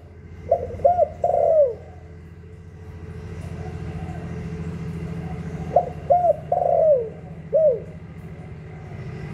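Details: Spotted dove (cu gáy), hạp bổi voice used to excite kept doves: two phrases of short, rounded coos ending in a sliding note, separated by several seconds of steady low rumbling background.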